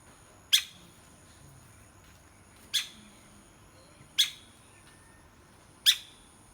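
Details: Woodpecker pecking: four sharp, dry knocks spaced unevenly, roughly one and a half to two seconds apart, each a single crisp tap over a quiet, steady background hiss.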